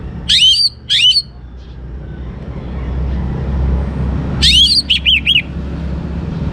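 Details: Young orange-headed thrush uttering two sharp upswept notes, then after a pause a burst of high notes and three quick looping whistles; low engine drone throughout.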